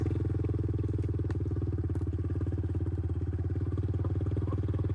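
A motorcycle-like engine putters steadily during a ride around a rural property, with some light clatter; no animal sounds are heard.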